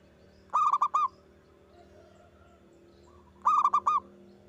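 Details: Loud local zebra dove song used as a lure to make other doves answer: two phrases of four or five rapid, ringing cooing notes, about three seconds apart, over quiet low background hum.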